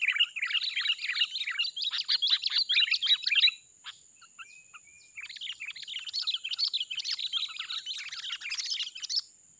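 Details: A wild sooty-headed bulbul, described as a fighter, in a young oil palm plantation during trapping gives two long bouts of rapid, bubbly chattering song with a brief pause between, over a faint steady high-pitched whine.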